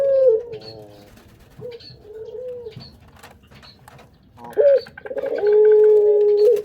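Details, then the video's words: Barbary dove kept as a lure bird, giving low, drawn-out coos with a short rising note, then a louder sustained steady coo near the end; quiet pauses between phrases, some faint clicks in the background. "Indukan Burung Puter"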